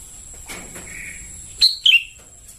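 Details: Sooty-headed bulbul chick calls used as a lure: one sharp high chirp followed by two lower squeaky notes in quick succession, after soft background hiss.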